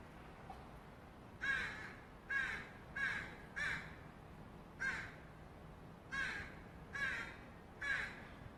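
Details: Fledgling Northwestern crow calling from offscreen, begging for food: eight harsh, raspy caws, each roughly half a second long, coming in uneven bursts over a faint steady background hiss.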